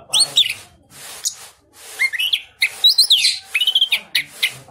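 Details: Captive Orange-headed Thrush from southern Malang with a crystal-clear voice, in gacor song: scattered bright slurred whistles and quick downward sweeps separated by soft pauses, ending in a rapid chatter.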